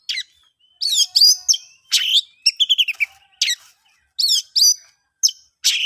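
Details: Ngeplong song of an oriental magpie-robin, used to make stalled birds sing: scratchy, emphatic notes mixed with quick trilled whistle runs, delivered in short phrases over a quiet background.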